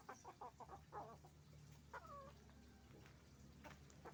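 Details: Hens and roosters on a chicken farm: a few quick clucks, then a drawn-out squawking cackle and scattered softer clucks over a constant low mechanical hum.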